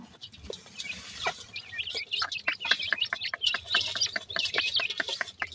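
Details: Young grey francolin chicks calling their mother during feeding; rapid run of thin, high-pitched cheeps and twitters, many brief notes crowding together alongside soft ticking.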